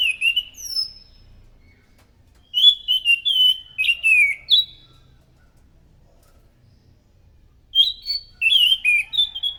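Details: Loud, energetic scaly thrush song meant as a lure for other thrushes: three bursts of rich, slurred whistled phrases separated by silent pauses of several seconds, each burst a quick tumble of warbling notes.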